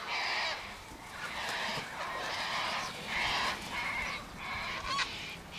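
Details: Sulphur-crested cockatoo flock feeding on tossed sunflower seeds, wheat and birdseed by an eastern gate: a dense, continuous wash of overlapping harsh, raspy screeches with barely any pause between birds.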